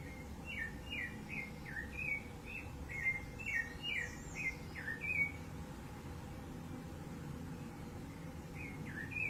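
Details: Rufous-bellied thrush, wild and free, 15 November 2020: a lively phrase of about a dozen fast whistled notes, rising and dropping in pitch, fills the first five seconds, followed by a pause and two further notes near the end.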